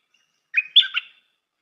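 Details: Stripe-throated bulbul, used as a decoy, delivering one brief, mellow phrase of three gurgling notes that slide up and down.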